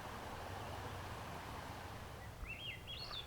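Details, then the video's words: Swainson's Thrush begins singing, one fluty upward-spiraling phrase near the end, over steady rushing mountain-stream noise; July 1, White Mountains of New Hampshire, on the cooler, wetter conifer side of a mountain. "Swainson's thrush just started singing."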